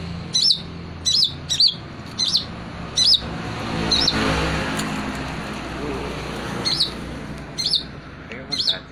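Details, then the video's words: Long-tailed shrike, its song carrying imitations of prenjak and tengkek: sharp, high, upslurred chirps in short bursts about every half second to a second, with a passing vehicle-like rumble in the middle. "cendet gacor isian burung prenjak dan tengkek"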